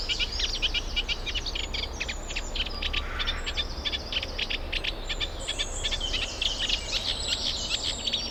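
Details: Reed warbler at a UK wetland nature reserve, Middle Street Meadow, in breeding season while pairing and nest building; continuous grating chatter of sharp, repeated two- and three-note phrases, rising to thin high squeaks, over steady low hum.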